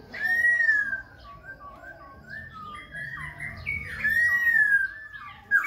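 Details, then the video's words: Khe Sanh laughingthrush in continuous, voice-switching song with display dancing: a long, pure whistle opens, then softer warbled notes, then another strong drawn-out whistle and a sharp closing note. "Khướu Khe Sanh hót múa đảo giọng liên tục"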